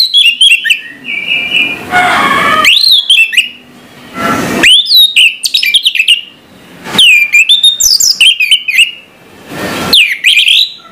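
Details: Orange-headed thrush in morning song, a rich medley of ringing whistles, downslurred notes and rapid chips, broken several times by short bursts of rustling or fluttering noise.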